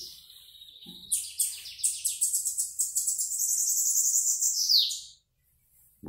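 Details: A Bananaquit emerging from its moult delivers a sustained, shimmering high trill of rapid buzzy pulses for about four seconds. The song closes with a bright upslurred note, then silence, with a faint thin note before it begins.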